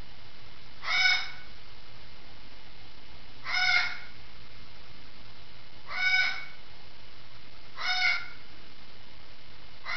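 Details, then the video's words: Parrot calling from the next room indoors, harsh harmonic squawks about a second long repeated every two to three seconds, four in a row over a low steady household hum. "Sixty Seconds of Squawking"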